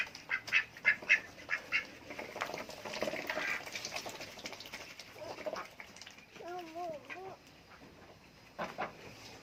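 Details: Adult duck begging for food with quick bursts of harsh quacks, a pause, then a wavering drawn-out call and more quacks.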